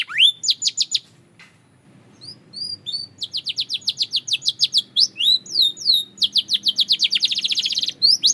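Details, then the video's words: Belgian canary song for singing practice: a rising opening phrase, a brief pause, then long runs of quick rising chirps and looping whistles building into a dense buzzy trill. "The Melody That Turns Any Canary Into a Singing Star!"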